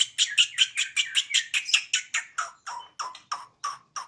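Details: Bornean white-rumped shama kept at home, singing eagerly: a fast run of harsh, chattering notes, about two or three per second, softening toward the end.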